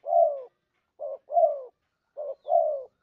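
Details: Spotted dove lure call: low, mellow coos in a short-then-long pattern, each pair repeated roughly once a second against silence.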